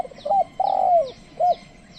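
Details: Spotted dove used as a trained lure, calling wild birds that stay away. A short curved coo, a long drawn-out falling coo, then another short hooked note. Faint repeated high chirps sound behind it.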